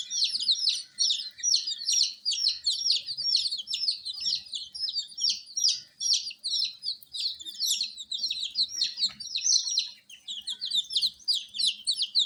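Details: Many coloured domestic chicks kept under a heat source, peeping loudly and continuously; dense overlapping high, downward-slurred cheeps form a steady chorus with no pauses and faint low hum beneath.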